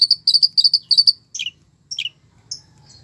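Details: A long-tailed shrike sings, its song rich in fill-in phrases. A rapid run of clear, high, repeated double notes is followed by a few lower, descending chirps.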